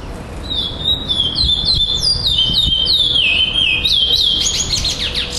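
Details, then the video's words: Song with repetition from a black chestnut-bellied seed finch, runner-up at a singing tournament in Florianópolis on 11-12-2011: a quick stream of sweet whistles sweeping downward, then up, in a loose rolling rhythm, over a low background hum. "GUARA 2º LUGAR FLORIANOPOLIS PRETO COM REPETIÇAO TORNEIO 11-12-2011"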